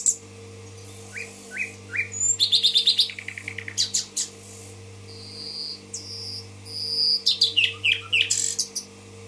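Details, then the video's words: Common nightingale, Tashkent, in full song: spaced upslurs, a rapid rattling trill of repeated pulses, long level whistles, then a dense tumbling phrase of chirps and sweeps, with a background electrical hum. "соловей гафиза булбул ташкент"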